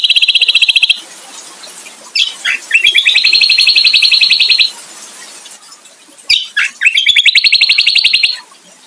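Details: A white-eye, called kecial, gives kombo song: a slurred chirp, then a long, even, buzzing trill, with the phrase repeated twice after a brief pause.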